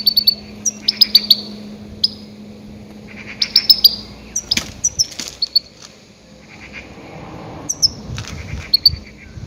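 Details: Goldfinch calling loudly, used as bait for grey-headed goldfinches: clusters of sharp, sweet, high chirps and short trills, with a quieter gap midway before a few scattered notes return.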